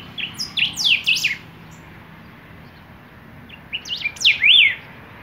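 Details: Golden-billed saltators singing, two phrases about three seconds apart, each a quick run of sharp downslurred whistles ending in a clear arched note; soft background hiss between phrases.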